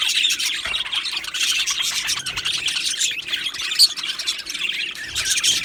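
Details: Budgerigars in a colony chirping together: a dense, continuous chatter of overlapping high twitters, warbles and squeaks from many birds, with one sharper squeak standing out near the end.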